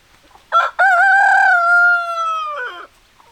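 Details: Rooster crowing loudly and close: a sharp opening syllable, then a long, strong, level note held for well over a second that fades into a rough, falling ending, with quiet surroundings.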